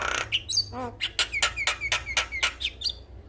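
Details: Vigorous song of a male Javan myna meant to get listening mynas singing: a quick series of sharp, downslurred chirps, about two per second, after a short buzzy opening.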